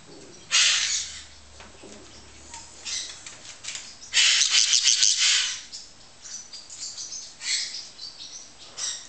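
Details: Golden-winged parakeet giving harsh, high, grating screeches in short bursts with softer chattering between; a second parakeet, a cobalt-winged, may also be calling.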